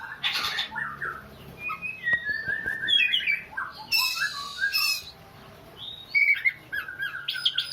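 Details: Oriental magpie-robin singing in a tearful, child-like crying manner: quick varied whistles and chirps mixed with a long grating rasp in the middle and brief harsh bursts.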